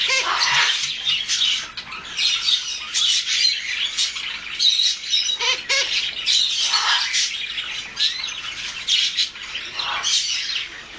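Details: A two-month-old baby Harlequin macaw gives harsh, raspy squawks almost nonstop, in rough bursts with brief gaps, with no other clear sounds.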